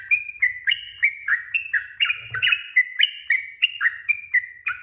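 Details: Sooty-headed bulbul giving a long, lively song meant to lure other birds into answering: about seventeen bubbly, slurred notes that alternately rise and fall, run back to back at roughly three per second, with faint low rumbling beneath.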